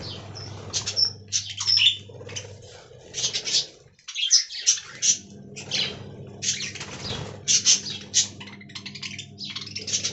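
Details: Budgerigars in an aviary colony twitter in uneven bursts of scratchy chirps and thin whistles, with a silent break around four seconds before chatter resumes, a faint hum underneath.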